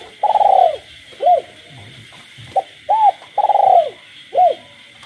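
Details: Caged spotted dove cooing at night in the village countryside, frogs calling too: two full phrases, each a long rolling pulsed coo then a short arched note, with brief low notes between. A steady high night chorus hums throughout.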